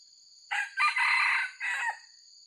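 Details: Genuine wild red junglefowl, a white-legged bird prized by trappers, crowing for luring: a hoarse crow in three or four linked bursts over about a second and a half, with a steady high-pitched whine behind it.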